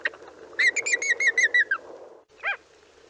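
Greater flamingo giving a quick run of about seven nasal, honking notes, then one more after a pause, over a low murmur of other birds.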